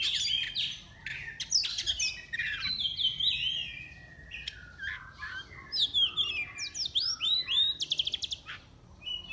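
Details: Contest Oriental magpie-robin, entry 15 of an online singing competition, from Miri, Sarawak. It gives varied loud whistled phrases with rising and falling sweeps, short chirps, then a rapid series of repeated sharp notes near the end.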